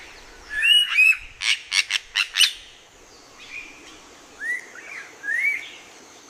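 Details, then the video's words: A myna calls while walking along a tree branch, mixing short upslurred whistles with a quick run of five harsh, grating notes, then returning to curving whistles over faint background hiss. "Myna bird calling"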